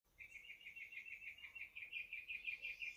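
A young American robin gives a steady, high, thin run of rapid repeated notes that barely changes in pitch, over a faint background hiss.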